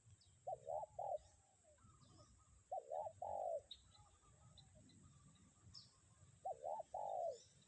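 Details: Decoy spotted dove still calling through strong wind, 'kuk 1' style: three phrases, each two short arched notes followed by a longer sliding coo, about every three seconds, with gusty low rumble and a faint thin high tone.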